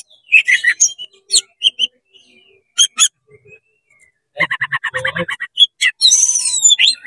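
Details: Fast-singing oriental magpie-robin, tail spread, worked up to provoke rival magpie-robins: scattered sharp high notes and short whistles separated by pauses, then a rapid burst of repeated chattering notes and a buzzy high flourish at the end.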